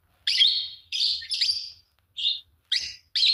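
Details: A green pair of Fischer's lovebirds chirp and sing: six harsh, shrill chirps follow in quick succession, some running together, with only brief gaps between them.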